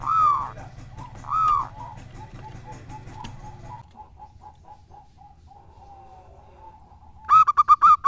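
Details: Local zebra dove kept as a lure bird: two rounded, rising-falling coos, then a stretch of soft repeated ticking and a faint tone, ending in a rapid burst of clipped notes.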